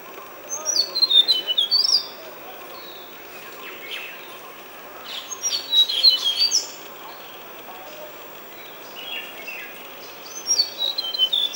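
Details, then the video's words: Tickell's Blue Flycatcher (Cyornis tickelliae) singing at Nandi Hills, Bangalore: high, sweet, tumbling phrases of thin descending whistles in bursts every few seconds over steady background hiss. "Tickell's Blue Flycatcher ( Cyornis tickelliae ) song"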